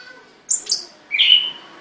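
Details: Caged songbird uttering two sharp high notes followed by a longer, bright whistled phrase, all within under two seconds.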